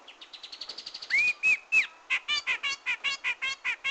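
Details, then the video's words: Grey-cheeked bulbul lure recording for trapping: quick thin notes lead into three clear whistled upslurred-then-level phrases, then a steady series of rough chattering bursts, roughly five per second. "SUARA BURUNG CUCAK JENGOT"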